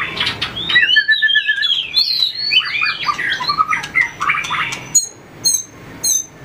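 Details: Trained White-rumped shama in competitive song, flicking its tail: a flowing stream of clear whistles and warbled twists for four seconds, followed by a few isolated sharp clicks and high thin notes.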